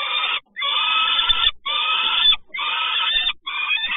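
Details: Peregrine falcon recorded in Toruń on 30 May 2019 in the morning, giving loud, harsh, grating calls about a second long, repeated four times with brief silent pauses between them.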